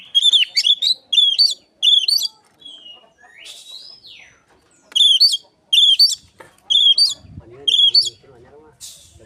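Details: Oriental magpie-robin imitating Asian pied starling, used as a lure; bursts of shrill rising whistles, a long sliding note midway, then more whistles over lower chattering sounds near the end.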